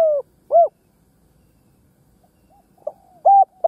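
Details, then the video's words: Fragments of cooing from a ground decoy spotted dove meant to lure other doves: a falling coo and a rounded coo, a pause with faint soft notes, then a short note and a steady coo as a new phrase begins. "Tiếng chim cu mồi đất gáy kích bổi nhanh nổi"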